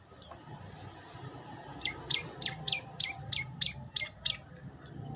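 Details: Olive-backed tailorbird song: a quick run of about nine sharp, high, downward-slurred notes, roughly three per second, after a brief thin opening note, over a faint low background hum.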